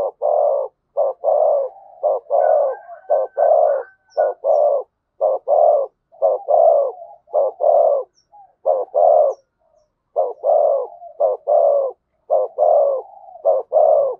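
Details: Spotted dove giving the urging 'gù thúc' coo, used to provoke a newly caught dove: dense runs of low, hollow coos, roughly one per second, each note short and throaty, with brief pauses between bursts.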